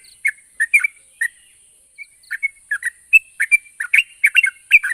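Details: Yellow-vented bulbul song used to coax silent birds into answering; a few spaced chirpy notes, a brief lull, then an accelerating stream of bubbly chattering phrases toward the end.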